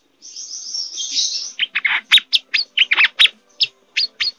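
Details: A Brown-throated sunbird in strong breeding condition opens with a thin, high, rapid trill, then breaks into a quick string of sharp, chipping notes about two to three per second.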